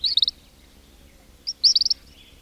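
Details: King cormorant colony, chicks whistling and adults grunting, heard close: two bright bursts of rapid, high, stuttered whistles about one and a half seconds apart, the second longer and louder.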